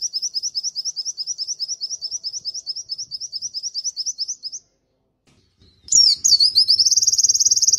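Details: White-eye (pleci) tutor recording from Indonesia, G12/G16 class birds noted for dominant, prominent song material, long bursts and strong volume; rapid high chirps about three per second for four seconds, a brief pause, then a louder, dense warbling trill.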